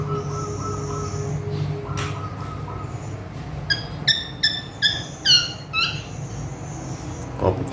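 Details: Agitated male Asian pied starling with a full mimicry repertoire. A long steady whistled tone comes first, then a rapid run of sharp, downslurred chirps about twice a second, and a soft thump at the end.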